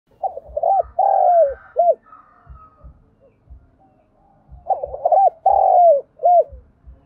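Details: Spotted dove used as a decoy to lure wild birds, giving two loud cooing phrases: short arched hoots, then a long drawn-out falling coo and a final clipped note, separated by a few quiet seconds with soft low thuds.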